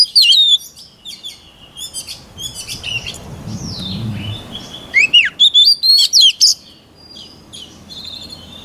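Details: White-rumped shama singing, used to train other birds' voices: a high slurred whistle, a quieter noisy stretch, then a burst of rapid, sharp, high-pitched repeated notes.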